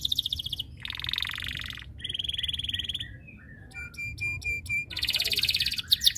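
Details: Canary singing to call rivals into song. Dense, high buzzy rolls alternate with rapid trills, then a few short whistles and clipped repeated notes, and a loud rattling roll at the end.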